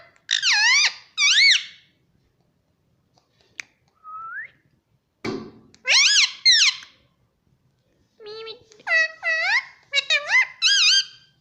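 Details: Talking pet Indian ringneck parrot that says mummy and papa in Hindi; separated bursts of shrill, wavy, harmonic syllables, paired notes and a short whistle-like note, with quiet gaps and a thump between phrases indoors.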